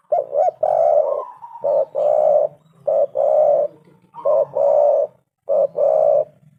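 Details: Tekukur or spotted dove lure call, repeated phrases each made of a short coo and a longer, fuller coo, about four pairs across several seconds.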